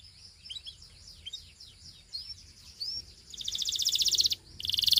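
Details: Belgian canary singing: soft, scattered high chirps and short descending whistles for three seconds, then a loud, fast buzzy roll of rapid pulses, a brief pause, and another loud roll.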